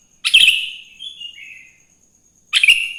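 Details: Sooty-headed bulbul singing in the wild in the morning as a lure for other bulbuls: one loud, harsh bubbly phrase fading into a lower drawn-out note, a short gap, then another bright burst.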